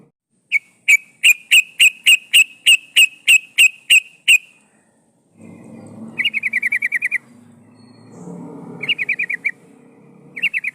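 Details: Yellow-vented bulbul female in breeding condition, calling to attract males and used as a lure: eleven loud, evenly spaced sharp notes, then short rapid chattering trills over a low rumbling background.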